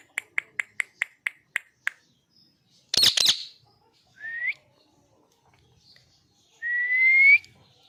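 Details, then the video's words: Parrot giving an angry voice: a quick series of about eight sharp clicks, then a harsh broadband squawk burst, followed by two short rising whistled notes with quiet gaps between. "Cute Parrot Natural Sounds!! cute Mitthu Angry Voice"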